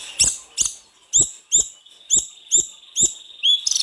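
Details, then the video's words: Snowy-browed flycatcher, known locally as sulingan gunung, used as a lure to stimulate singing of the same species: short very high chirps repeated about twice a second, each paired with a sharp dry click, ending in a brief rising whistle. "Burung sulingan gunung gacor full isian,cocok buat pancingan sulgun anda"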